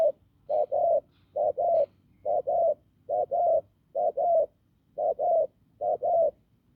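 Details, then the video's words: Hoarse, strong-voiced spotted dove caught from the fields, cooing in steady doubled notes, a brief hoot then a fuller one, about eight pairs in under seven seconds. "Bổi đồng khàn cứng gù"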